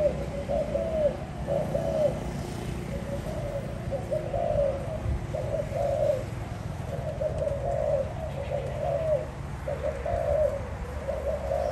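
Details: Spotted dove cooing, a low, soft phrase of short coos repeated every one to two seconds in a steady series, over a constant low hum and background hiss.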